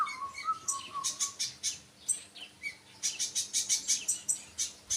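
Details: Sunbird giving bursts of sharp, very high, ticking chirps in quick series, preceded by a few lower wavering whistled notes, over steady low background noise.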